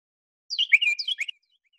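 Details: Carolina Wren giving its teakettle call, usually three-part: a quick burst of loud, clear whistled notes, each sliding downward, in a rolling phrase under a second long. No other sounds are heard.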